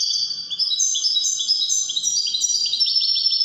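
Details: A Widani-type European goldfinch sings without a break: a dense, high, tinkling stream of quick chirps and rolling trills, steady and loud throughout.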